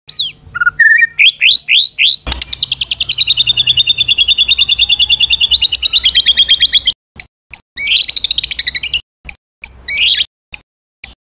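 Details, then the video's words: White-rumped shama training song in rough 'tembakan' style: a few rising whistled notes, then a long rapid rattling trill of evenly spaced pulses, followed by short bursts of high chirps separated by abrupt silences. "MASTERAN MURAI BATU FULL ISIAN TEMBAKAN KASAR"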